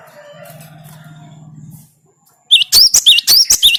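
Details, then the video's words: Faint low hum and murmuring at first, then a pause, then a cinereous tit (gelatik batu) bursts into bright, emphatic whistled notes with curling pitch, repeated quickly. "Makin Edan gelatik batumu setelah dengan suara ini"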